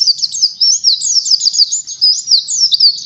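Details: Oriental white-eye singing as training material for other songbirds, a dense flow of quick high sweeping chirps and slurred whistles, loud and unbroken with no other sounds.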